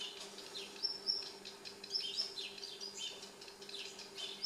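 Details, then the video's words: Young redstart fledgling, apparently just out of the nest and learning to fly, sits on a balcony on a May 31 evening, fed by its parents; it gives quick, thin, high, unevenly spaced chirps over a steady low electrical hum. "Baby Redstart"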